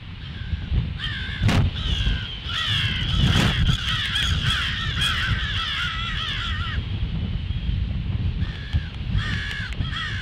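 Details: Alarm calls of crows at 08:50 on 18 February, a run of rasping caws in close succession for several seconds, a pause, then a few more, with steady low-pitched background rumble and occasional sharp knocks.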